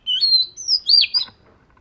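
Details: Oriental magpie-robin, scaly-patterned type, in daily voice-training song: a clear phrase of sweet whistles, a long steady high note, then a rising slurred whistle and a short twittering ending, with a quiet pause afterwards.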